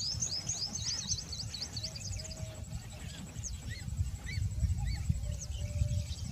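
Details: Common kingfisher (Alcedo atthis) at Nal Sarovar, Gujarat, calling: a fast run of shrill, thin whistles, then scattered high chirps, with other birds chipping lower over a steady low rumble of wind or traffic.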